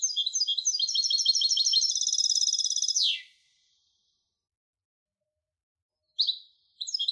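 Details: Hybrid European goldfinch in steady song: a fast, rapid twitter of high metallic notes running unbroken for about three seconds, a pause, then short chirping bursts resuming.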